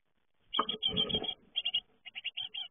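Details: Great tit young fledging, starting with a loud scrambling rush of overlapping high chirps and rustle, then settling into short spaced clusters of crisp, high notes.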